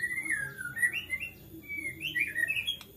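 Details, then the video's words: White-rumped shama singing in an agitated way, a bout said to provoke other shamas into song: quiet, thin whistled phrases sliding between mid and high pitch, loose and faint over a low background hum. "MURAI GACOR NGAMUK BISA MEMANCING MURAI LAINNYA JADI GACOR"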